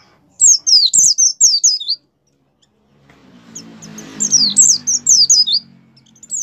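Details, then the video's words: Gacor song of a caged white-eye, used to prompt other white-eyes to sing: a rapid run of shrill falling notes, a pause with a low hum, then another fast burst of high whistles. "suara pleci gacor pendongkrak mampu membuat pleci buka paruh"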